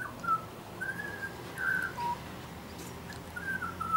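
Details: A young, tame butcherbird, still lighter black than adults and a frequent visitor, sings clear, fluty whistled phrases, some held and others slurred downward, spaced by short pauses, over a low steady hum.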